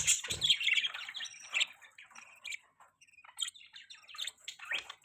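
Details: Budgie chirping: a loud warbled outburst at the start, then scattered short squeaky chirps and soft chatter separated by quiet gaps.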